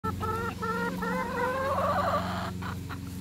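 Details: Rooster giving a series of short, nasal, stepped clucking notes, repeated several times and then running into a longer strained crow-like call, over a steady low hum.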